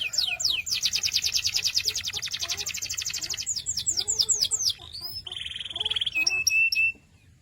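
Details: Canary singing a long rapid trill tour of repeated high notes, followed by quick down-slurred chirps, a level steady whistle and short rattling notes before falling silent.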